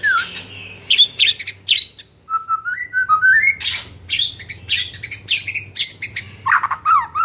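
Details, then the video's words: White-rumped shama in the afternoon, played as a lure to spur a caged bird: rapid mix of harsh chattering notes and clear whistles, with a rising stepped run of pure tones midway. "Pancingan SORE HARI efektif jadikan MURAI jadi LEBIH GACOR dan NGEPLONG"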